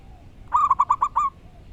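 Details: A wild local zebra dove sings a crisp phrase of six rapid, ringing coos, the first stretched slightly and the last trailing off, over quiet background.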